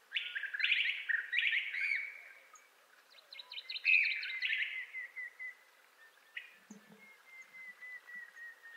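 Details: Montezuma quail of western North America, giving its assembly or territorial call: two bursts of rapid, buzzy notes sliding downward in pitch, followed by a long, steady, high whistled tone with a few faint clicks.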